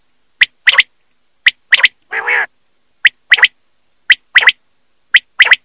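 A Common Quail repeats its sharp, liquid three-note phrase about once a second, one clipped note then a quick pair. A brief, low nasal wheeze breaks in once.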